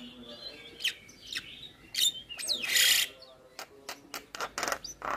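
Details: Javan myna singing in full isian style, a packed, varied song said to make other mynas answer: scattered sharp clicks and short squeaks, then a loud harsh rasping burst, followed by rapid ticking notes and a rising whistle.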